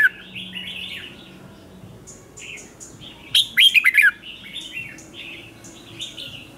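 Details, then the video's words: Morning training song of a Red-whiskered bulbul, meant to spur birds into a competition song: a run of soft warbled phrases broken by one loud cluster of bright, falling chirps, then more quiet warbling. "Luyện chào mào hót sáng, QUÁ HAY - CHÉ KÍCH BỔI CĂNG ĐÉT, Cách luyện chào mào hót căng lửa"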